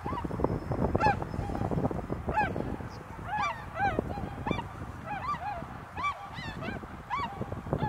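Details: A large gathering of tundra swans in cold, snowy Azumino under cloud at -4°C keeps up a busy chorus of overlapping, nasal whooping notes, several per second, with soft murmuring beneath.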